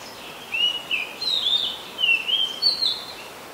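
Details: Song of a very common resident Oriental magpie-robin, Ubon Ratchathani, Thailand, July 2022: a string of sweet whistled notes, some rising, some falling, with brief gaps, over a light background hiss.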